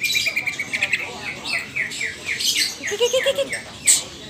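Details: Green leafbird of the Blorok type in contest training, learning ngetrok and responses to an opponent; a series of sharp, downslurred chirps repeats about three times a second, later joined by a short run of lower notes and a high click.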